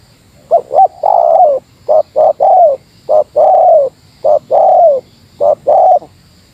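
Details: Meratus spotted dove used as a lure, cooing to challenge a rival; clear, strong phrases of short double coos followed by longer downslurred notes, repeated about once a second over quiet background hiss.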